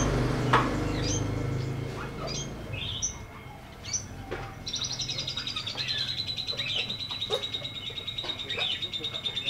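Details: Lovebird in the ngekek panjang style: scattered sharp chirps give way to a long, fast rattling trill that runs unbroken for several seconds, with a low rumble at the start.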